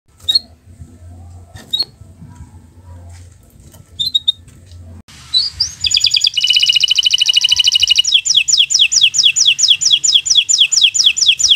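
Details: Local bottle-green canary used as a master recording for young birds learning to sing: quiet opening with a few sharp chirps, then a loud fast buzzy trill followed by rapid repeated high down-slurred notes.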